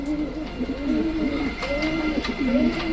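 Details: Pet domestic pigeon calling in its loft as a newly paired wild-coloured pigeon is let outside: low, soft rolling coos, each phrase dipping and rising, about four phrases in three seconds, with light background noise.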